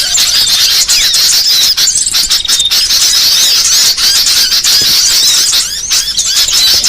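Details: Varied masteran-style song of small birds for training songbirds: steady, shrill twittering with fast rippling trills and thin whistles, dense and unbroken.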